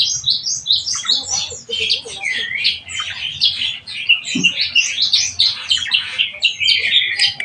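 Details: Captive black-winged myna, or jalak kebo, under its keeper's care, pouring out continuous varied chatter: squeaks, rasping notes and slurred whistles running together for several seconds.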